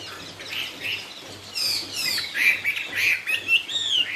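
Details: Chinese hwamei in cao cầu song: subdued, breathy notes open the passage, followed by bright descending and rising whistles that grow louder and more clearly phrased.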